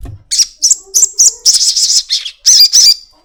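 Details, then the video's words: Crested jay (sogon) giving a long 'ekek' lure series to get birds singing: a steady string of sharp, shrill high notes, about three per second, grouped into short rattling bursts with brief gaps. "pancingan sogon ekek panjang"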